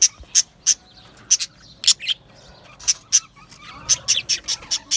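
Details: Australian budgies chirping happily in an aviary, a run of short, piercing high chirps in uneven bursts, some doubled, coming faster toward the end over a low background of soft chatter.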